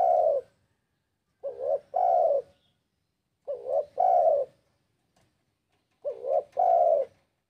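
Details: Spotted dove in breeding condition calling out to a rival: steady low coo phrases every two seconds or so, each a brief two-part warble followed by a sustained hollow coo, in quiet surroundings.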